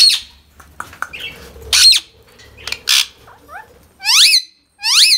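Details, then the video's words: Ringneck parrot indoors giving harsh, high squawks, then two loud, falling, ringing screeches near the end, over faint indoor background noise. "Ringneck Parrots"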